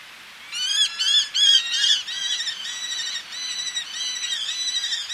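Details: Male Eleonora's falcon calling at close range, females calling from ledges, sea beyond: loud, rising and falling harmonic kee notes in a quick series, loudest at the start, then a softer chattering run.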